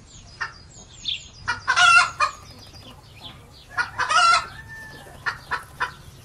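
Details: Farmyard chickens: scattered clucks and two loud, harsh crowing bursts, with a brief tonal whine between them and a faint low hum throughout.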